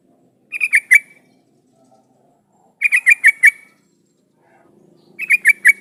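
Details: Yellow-vented bulbul song used as a lure for other bulbuls: three short bursts of rapid bubbly, gurgling notes, about three to five notes each, spaced roughly two to two and a half seconds apart, with faint low background noise.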